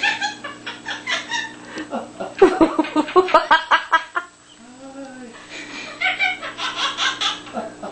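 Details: Quaker parrot kept as a pet, laughing in rapid, chattering 'ha-ha' bursts, strongest in the middle, a brief soft whistled tone after, then more cackling pulses.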